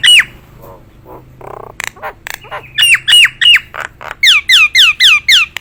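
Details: Nias hill myna, a trained competition bird, opening with a falling whistle and soft notes, then a loud rapid series of downward-sliding whistles repeated several times a second.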